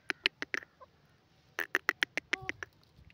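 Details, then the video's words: Grey francolin delivering two bursts of sharp, repeated harsh notes, the second burst longer and faster, separated by a short quiet gap. "teetar ki awaz partridge bird sound gora teetar sound"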